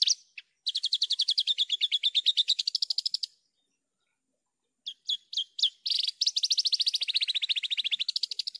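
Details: Energetic Javan bush lark song, recorded cleanly: two long rapid trills of buzzy repeated notes, each lasting seconds, separated by a pause and several short sharp chirps.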